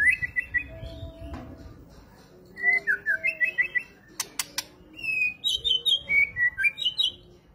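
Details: White-rumped shama delivering a varied run of rich whistled and warbled phrases, shifting between lower and higher pitches, with a few sharp ticking clicks in the middle and soft low tones beneath.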